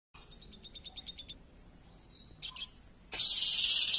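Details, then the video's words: Champion lovebird song used as a lure: a short run of quick high chirps repeated several times a second, a brief whistled note, a few harsh notes, then a loud dense harsh burst to the end. "Pancingan Loberd Juara"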